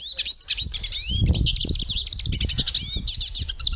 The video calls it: Hooded Siskin Song, Hooded Siskin Call, Bird Sound, Chirp